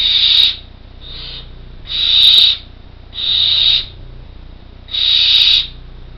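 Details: Four well-developed Barn owl chicks near fledging in an artificial nest box in Co. Kerry give harsh, breathy "snoring" hisses about half a second long, roughly every second, alternating louder and softer.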